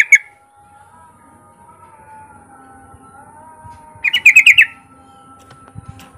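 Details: Yellow-vented bulbul used as a lure for other bulbuls: a brief chirp, then a quick burst of five or six bright descending notes over a steady low hum.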